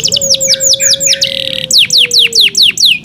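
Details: Yorkshire canary in song: looping downslurred whistles, a short buzzy burst, then more clear descending notes, over a faint steady low tone.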